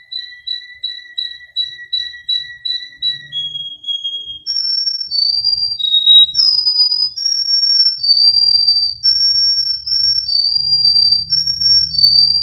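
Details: Russian canary singing, from a Miami, Florida breeder: a run of evenly spaced pure piping notes, then long flute-like whistles that slide and change pitch, with faint low background hum.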